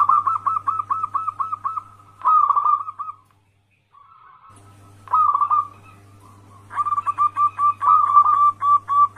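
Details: Wild local zebra dove singing eagerly, used as a lure to prompt answers from other zebra doves: quick repeated coo series, a brief silence, then renewed bursts building into a steady rapid string of notes, with a low hum.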